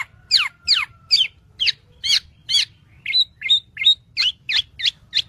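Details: Black-naped oriole singing for tutoring use: evenly spaced, strident downsweeping notes about three per second, with a faint low hum behind.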